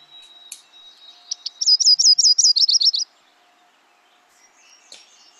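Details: Yellow-rumped Warbler song from a song identification quiz: after a thin steady whistle and a few soft chips, a bright run of high, slurred, bouncing notes for about one and a half seconds, then faint distant sounds.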